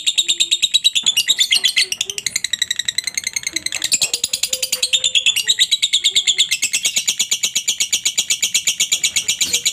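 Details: Lovebird ngekek chatter, masteran for other lovebirds, a long fast stream of high buzzy pulses with varied squeaky phrases, and faint lower tonal sounds in the background.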